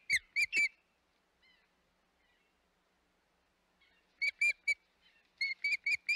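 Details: At the Hog Island osprey nest on 25 May 2021, loud harsh whistled chirps come in bursts: three at the start, then after a quiet gap, two fast clusters of about four each.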